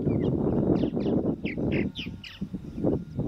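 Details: Harsh, descending chirps from purple martins, about six in a row roughly a quarter second apart, over loud low-pitched wind and rumbling noise.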